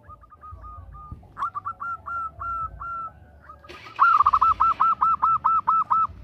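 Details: Female zebra dove calling a male, starting with faint, soft repeated notes, then breaking into a loud, rapid series of clipped, arched cooing notes, about two per second, with a brief rustling noise at the transition.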